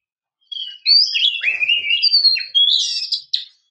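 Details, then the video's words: Oriental magpie-robin female enticing a male to sing, pouring out a continuous, fast stream of slurred whistles and rasping chirps for about three seconds. "pancingan Kacer depresi/stres agar nyaut gacor"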